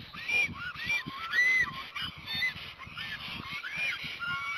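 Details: Black storks at a nest in Hungary on 26 April 2017, just after the first chick hatched, one mate reacting as if an intruder approached: repeated arched, nasal whistling calls over a low background rumble.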